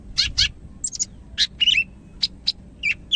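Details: Greater green leafbird of the Medan type: harsh, scratchy high notes and short buzzy chirps given in uneven bursts over a faint low background hum.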